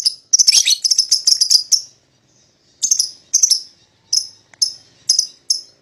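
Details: Lovebird pair, paud type, calling to provoke a rival: a dense cluster of high chirps, a short silence, then separate sharp chirps spaced about half a second apart.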